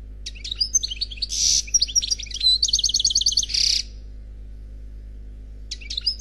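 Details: European goldfinch, a single unpaired bird singing in the Khalwi style. A rapid twittering phrase of high chips and buzzy notes, then a fast rattling trill, with a steady low hum underneath and a new phrase starting at the end.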